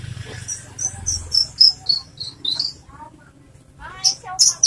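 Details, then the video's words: Loud, crisp-voiced Oriental skylark singing a quick run of thin, high, slurred notes, about four a second, then a short pause before a bright, jumbled burst. "branjangan suara keras"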